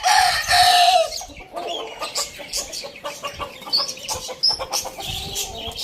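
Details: Tail of a rooster's morning crow opens the clip, a loud harmonic held note ending near one second, then scattered chirps and clucks from other birds fill the rest.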